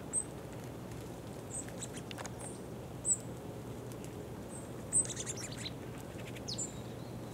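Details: Green-tailed Towhee at Owl Canyon, Bodega Bay, Sonoma County, California, gives brief, very high, thin call notes, spaced irregularly every second or two, over a low steady hum and soft rustling.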